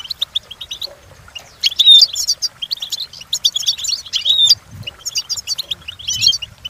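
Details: Training song of a European goldfinch for other goldfinches to learn: light clicking twitters lead into loud jangling bursts with a bright slurred whistle, repeating about every two seconds, with faint low thumps beneath.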